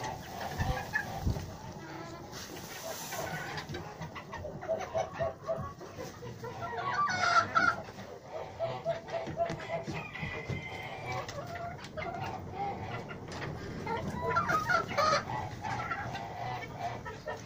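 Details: A breeding Yurlov Crower rooster crows amid clucking hens and a noisy farmyard.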